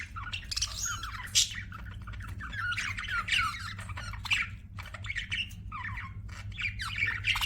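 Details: Budgerigars keep up a scratchy, warbling chatter with occasional sharp squeaks and short whistled slurs, fairly steady in volume.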